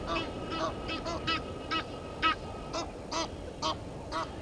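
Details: Dispute between Egyptian geese and intruder geese at Gowrie dam, Djuma Game Reserve, South Africa, 10/04/21, 17:08. Single harsh, ringing honks come roughly every half second, fairly evenly spaced, in a quiet setting.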